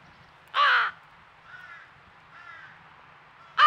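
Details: Crow fledgling at a squirrel feeder in Nova Scotia, Canada, with its noisy family, crying nonstop: one loud harsh caw, then two softer nasal calls and another loud caw cut off at the end.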